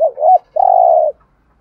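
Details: Decoy spotted dove cooing to draw in wild doves, thúc gù style: a short wavering double note, a brief pause, then one long, steady, burred coo.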